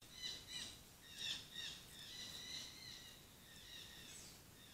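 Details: Green ibis at a stream in southern Minas Gerais, Brazil, recorded by trail camera, gives a series of faint, harsh, harmonic notes, about one a second and somewhat irregular, over steady background hiss; it is reacting defensively as a rattlesnake crosses.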